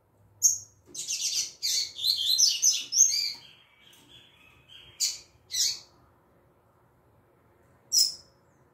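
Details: Female double-collared seedeater in tui tui zel zel style song: a rapid string of buzzy high chirps lasting over two seconds, then a trailing thin note and scattered sharp chips.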